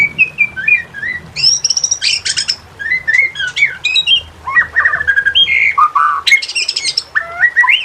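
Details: White-rumped shama (murai batu) song used as a master track to train and stir lazy shamas into singing: varied clear whistles and chattering phrases, some rising and falling, others sharp high notes, with little pause between phrases.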